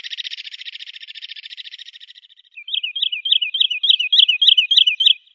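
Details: Wood sandpiper (Tringa glareola) call: a fast, buzzy, high trill lasting about two seconds, a short pause, then about ten wavy whistled notes, roughly three per second, each rising then dipping.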